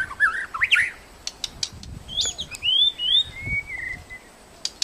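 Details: In a protected forest, a white-rumped shama gives warbled whistles and quick chips, then long smooth whistled notes rising and falling, with soft low background rumbling.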